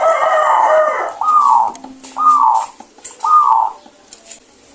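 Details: Local zebra dove, perkutut, said to sing with a clear voice: three short bubbling coos near one pitch, each about half a second, spaced about a second apart, after a brief noisy burst at the start.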